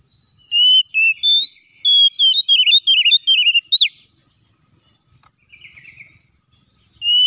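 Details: Oriental magpie-robin singing as a lure to make other magpie-robins sing: sweet whistled notes, rising and warbling in quick succession, closing with an upswept note, then quiet before another whistle.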